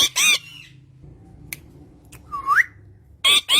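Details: Green parrot with its owner, uttering a harsh squawk, a single rising whistle after a quiet pause, then another pair of rough squawks.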